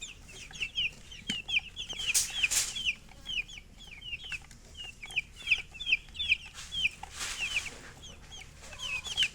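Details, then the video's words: A group of chicks keeps up a steady chorus of thin, high, downward-slurred peeps, several every second, with brief bursts of rustling noise. "Baby "Chicks Chirping" Sound"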